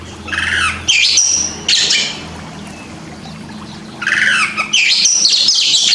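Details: Oriental magpie-robin training song for reluctant singers: loud, harsh, scratchy bursts of rich, varied notes, two close together near the start and a longer, louder outburst after a pause.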